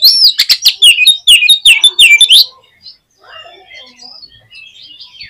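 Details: Oriental magpie-robin song meant to trigger a pet bird's singing: a fast run of loud scratchy chips and sweeping whistles for over two seconds, then faint distant bird notes.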